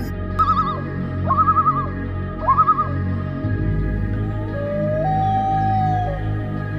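A loon gives three quick quavering tremolo bursts, then a long, steady, slightly rising wail, all over a deep background of music.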